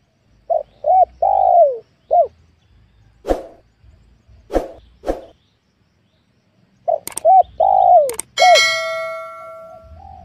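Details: Wild spotted dove being lured on newly worked land in a small oil palm plantation. It gives low coos: two short notes, then a long descending slurred coo, repeated. Sharp knocks and a brief ringing metallic tone interrupt between phrases.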